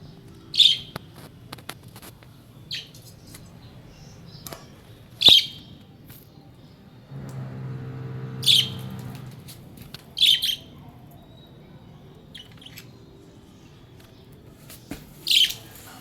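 A budgerigar gives short, bright chirps at irregular intervals, with quiet pauses between them.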